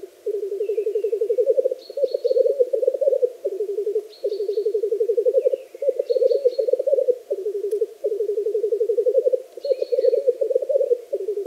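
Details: Black grouse lekking and displaying on a frosty spring bog: nonstop low bubbling in rolling pulsed phrases about two seconds long, with short high twittering notes from other birds now and then.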